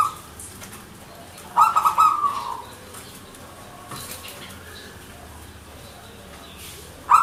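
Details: Zebra dove (perkutut), local Indonesian bird, manggung song: one short rolling trill of rapid pulsed notes fading out, then quiet background, with another phrase just beginning at the end.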